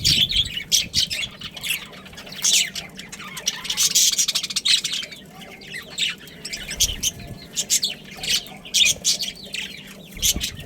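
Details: Chattering from a budgerigar breeding pair kept as pets: clusters of shrill chirps and warbled squeaks, loudest near the start and middle, separated by brief quieter gaps.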